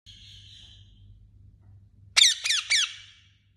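Kakapo giving three harsh, nasal squawks in quick succession, each bursting with rough overtones, after a faint, thin whistle-like tone at the start.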